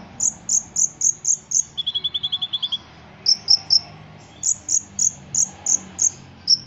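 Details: Ruby-cheeked sunbird song used as a training recording for caged birds: a run of very high, thin, sharp notes about four per second, broken by a fast, lower trill imitating a cricket.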